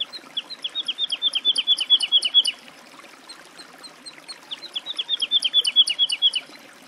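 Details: Two fluty woodlark phrases, each a run of repeated falling notes that grows louder over about two seconds, separated by a pause of roughly two seconds.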